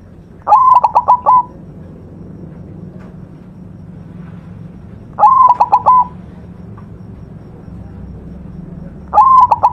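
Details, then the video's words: Master recording of a white zebra dove in lively song. It repeats a cooing phrase about every four seconds, three times, each one a burst of rapid staccato notes closing on a sustained coo over quiet background. "perkutut putih masteran gacor"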